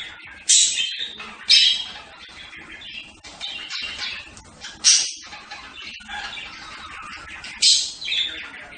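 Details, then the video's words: Budgerigar chattering with sharp, scratchy squawks spaced a few seconds apart, mixed with quieter warbled twitters between the louder notes. "صوت طيور هند(البادجي)"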